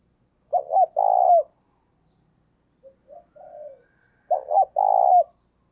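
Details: Decoy spotted dove cooing eagerly, used to make another dove coo more often: two phrases of two short quick coos then a long drawn, slightly falling croo, with fainter softer coos in between.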